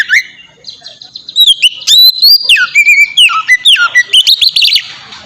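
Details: Ngeplong song of an Oriental magpie-robin, played to provoke untrained birds into singing; after a soft start, a rapid string of loud clear whistles, up-and-down slurs and sharp ticks.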